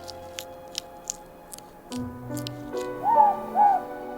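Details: A morepork (ruru, native owl) at night on Little Barrier Island (Hauturu), New Zealand, gives two quick mellow hooting notes about half a second apart after a few faint clicks, through soft background music.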